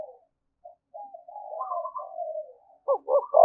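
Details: Decoy spotted dove calling repeatedly to stir up fights. Soft, quavering low murmurs build into a long wavering phrase, ending with a sudden louder stuttered coo.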